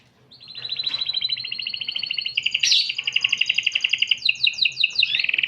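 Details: Vigorously singing canary with a distinctive cengkok style, opening with a long, steady rolling trill that swells in volume, then breaking into a fast series of sharp, repeated chirps near the end.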